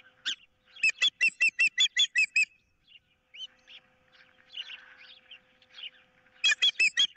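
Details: Nest-cam osprey on 15 April 2023 amid a fish dispute and an intruder nearby, giving rapid bursts of piercing whistled cheeps, about five a second, separated by a quieter stretch of soft chirping.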